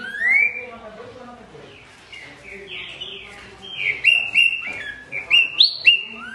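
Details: Green-winged saltator song opening with a rising whistle, then a quieter stretch, then a run of bright, clipped whistled notes repeated quickly toward the end.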